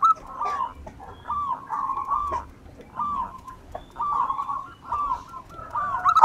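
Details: Local wild zebra dove used as a lure, singing busily: softer, wavering cooing phrases repeat with short gaps over a low background hum, with a louder note at the very end.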